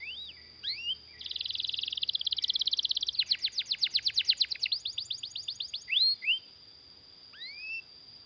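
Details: Canary rolling song to lure other canaries into singing: a steady buzzy tour, then a long run of rapid repeated downslurred notes, ending with scattered rising whistles.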